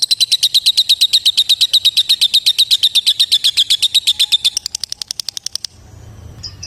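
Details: Lovebird calling a rival, delivering a loud, regular trill of shrill, high ticking notes for about four and a half seconds, which then speeds up, softens and breaks off, followed by quiet with a faint squeak.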